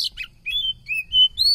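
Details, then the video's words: Oriental magpie-robin song: a quick run of clear whistled notes, some rising, some falling, with short buzzy slurs between them, about five bright phrases within under two seconds, set against a faint low hum. "bikin gacor kacer"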